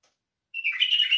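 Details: White-eared bulbul song phrase beginning after a brief silence: a clear opening note running into busy, warbling chatter that continues to the end.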